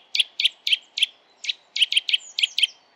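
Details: Eurasian nuthatch song: loud, sharp, high notes, about four a second, in two quick bursts separated by a brief pause; Sweden, December.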